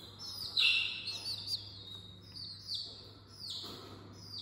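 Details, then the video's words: Early-morning small chicks peeping: shrill downward-sliding notes, one loud burst near the start then softer spaced peeps, with a constant low hum underneath. "Small Chicks Early Morning"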